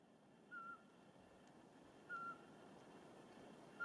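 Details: Eurasian pygmy owl calling in forest near Porkuni, Virumaa, Estonia, in mid-March 2019: short, piping whistled hoots on one steady pitch, about every one and a half seconds, over a soft low background rumble.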